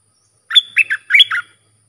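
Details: Red-whiskered bulbul song played for teaching hand-reared young birds and luring wild birds, style with sap dok, double and rik phrases: one quick phrase of five bright warbled notes, rising and falling, with a level whistle running through it.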